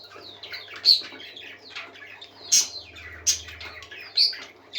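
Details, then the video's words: Parakeets singing happily: continuous soft warbling chatter broken by four loud piercing chirps roughly a second apart, a low hum beneath. "Happy Parakeets Singing"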